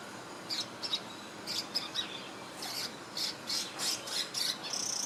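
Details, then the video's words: Swiftlet-like bird preening in Singapore in 2017, chirping steadily with short high squeaky notes, roughly three a second, some doubled, ending in a fast fluttering trill. "Cute Swiftlet-like Bird Chirping (Sound) & Preening"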